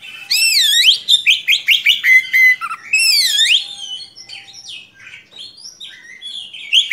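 Oriental magpie-robin singing a long, varied run of loud whistles, swooping slurred notes and quick chattering phrases, high and nearly continuous.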